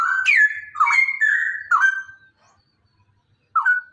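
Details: A male Straw-headed Bulbul pours out a loud, rich burst of liquid, sliding whistles for about two seconds, then falls silent before starting again; used as therapy to prompt other bulbuls to sing.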